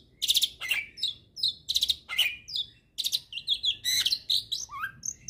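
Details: Hybrid starling giving a full tutor song for magpie-robins and kacer birds: harsh buzzy bursts and clear whistled notes in quick succession, ending with a descending whistle.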